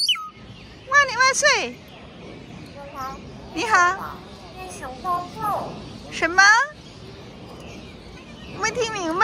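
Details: Crested myna in a park imitating human speech during a chat with a person: several bursts of harmonic, wavering speech-like phrases spaced a few seconds apart, with outdoor ambient noise between them.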